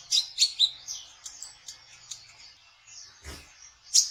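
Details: Trotol-style song of a kolibri ninja sunbird, a lure for attracting konin birds to a trap: rapid high twittering bursts with several loud sharp chips, and a brief dull knock partway through.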